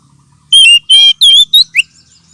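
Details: Lure and therapy sound of the oriental magpie-robin (kacer) for birds with little aggression: five loud whistled notes over about 1.3 seconds, level tones with harsh overtones, ending in a short rising chirp.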